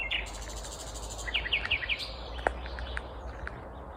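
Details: Vagrant Common Nightingale singing in the morning at Kvarnbo, Uppsala, Sweden, May 19, 2021: four short, sharp, rising notes repeated rapidly against a noisy background, followed by one isolated low note.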